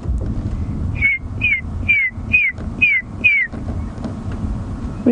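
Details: Red-crested korhaan mating call heard during a twilight game drive on 1 Nov 2016, sounding fairly close: six clear, slightly falling whistled notes, about two per second, over a low engine rumble.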